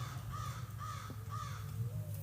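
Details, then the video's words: A crow from a family of crows that visits a riverside home on P.E.I. gives three harsh, evenly spaced caws from the trees about half a second apart, over a steady low rumble of wind or background noise. "You can hear my crows in the trees."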